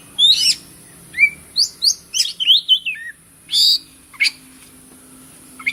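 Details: Loud white-rumped shama singing in quick bursts: slurred whistles, a descending run of warbled notes, then a harsh rasping burst and sharp chips, recorded close over a faint hum and hiss.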